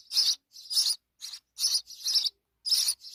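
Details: Sparrow chicks beside their mother: longer, harsh, buzzy chirps in bursts, some run together into scratchy chatter, loud and close.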